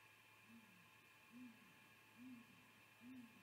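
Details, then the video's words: Male great grey owl giving a contact hoot at the nest in mid-afternoon, 10 February 2020: deep, soft hoots, each slightly falling, evenly spaced about one per second, over a steady background hum. "Great Gray Owl Hooting"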